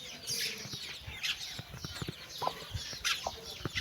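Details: Mother hen calling her chicks for a walk: short low clucks repeated irregularly beneath a busy layer of high peeping chick chirps.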